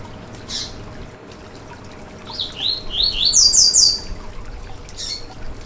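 Yellow-bellied seedeater song: a quick two-second run of high, sweet, slurred notes that climbs in pitch, set between short chirps over a soft background hiss.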